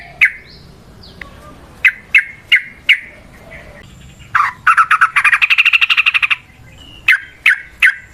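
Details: Sooty-headed bulbul (trucukan) in lively song meant as a lure to train other bulbuls: short bubbly notes repeated, then a rapid rattling chatter run of about two seconds, followed by more clipped phrases.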